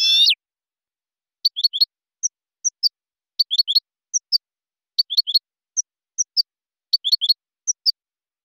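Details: European goldfinch sound from a silvestrismo recording: sparse, thin, high chirps and short clusters of twittering notes spaced a second or so apart, after a brief opening buzz; otherwise quiet.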